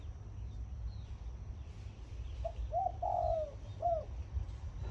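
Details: Zebra dove used as a decoy, singing at dawn in khan yon style. One phrase: a brief note, a curling trill, a prolonged vibrating coo and a closing falling coo. Heavy low-frequency rumble throughout.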